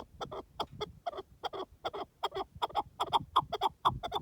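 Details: In the wild, a partridge repeats loud, rough double chuck notes at an even pace of about two per second, with a low background rumble throughout.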